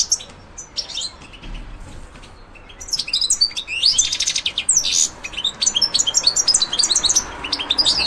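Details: European goldfinch coming into breeding condition as the breeding season nears; a few seconds of near quiet with scattered chirps, then a rapid, bright twittering song of high tinkling notes and buzzy trills that runs to the end.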